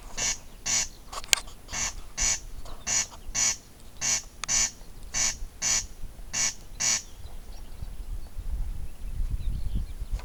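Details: A corncrake rasps out a steady series of harsh, crackling double notes, each pair about half a second apart, then falls silent as low rumbling noise takes over.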